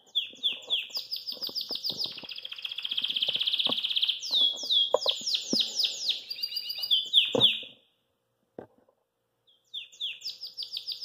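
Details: Belgian canary singing cheerfully after eating kale, hopping outside its cage indoors: fast repeated high chirped notes building into long rolling trills and rapid slurred phrases, a pause, then more quick chirps; faint tapping in the background.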